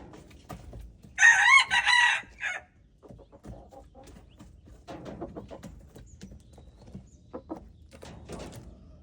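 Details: One loud, grating crow from a red junglefowl lasting just over a second, recorded February 13, 2025. Afterwards come quieter clucking notes and light scuffling noises.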